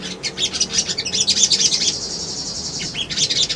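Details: A sunbird's song, used as a lure, is a rapid, continuous stream of thin, very high twittering chirps and trills, with a brief dip in intensity near the end.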